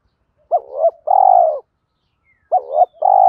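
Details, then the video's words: Spotted dove coos meant to stimulate doves being trained, from male and female birds. Two matching phrases about two seconds apart, each a quavering double note followed by a broad, steady, mellow coo. "Tiếng chim cu gáy THÚC GÙ Gáy Gọi"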